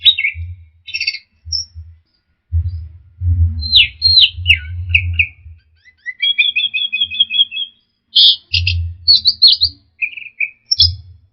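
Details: Orange-headed thrush song used as a training recording for caged birds: varied bright phrases of whistles, slurred notes and short rapid trills, with a longer even trill near the middle, separated by brief pauses, over low dull thumping.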